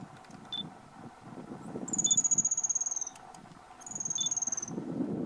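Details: A male Spotted Piculet (Picumnus pygmaeus) sings two thin, very high trills about two seconds apart, each around a second long, with short sharp notes between, over low wind-like rumble; Chapada Diamantina, Bahia, north-east Brazil, September 2014.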